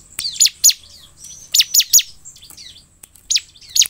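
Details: Bar-winged prinia song played to provoke a response from caged birds: sharp, high downward-sweeping chirps given singly and in quick pairs, with a thin sustained whine behind and quiet gaps between.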